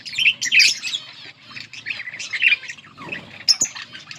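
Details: Pair of yellow budgerigars chattering, bursts of high, scratchy chirps and warbles, loudest near the start and mid-clip, with a sharp click and rustling between phrases.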